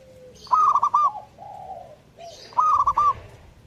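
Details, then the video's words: Zebra dove (perkutut) in full song: two bursts of rapid, staccato cooing notes around mid pitch, each followed by softer, drawn-out coos, with a quiet low rumble behind. "burung perkutut gacor"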